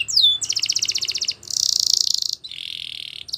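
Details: Spanish Timbrado canary song from a champion singer for training: one sharp downward swoop, a rapid pulsed trill, a bright sustained high roll, then a lower buzzy roll, with short silent breaks between phrases.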